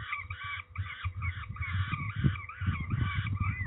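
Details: Peregrine falcons being ringed at Trzebież, Poland, 13 May 2019. Rasping, nasal calls repeat in quick succession over dull low-pitched rumbles and knocks.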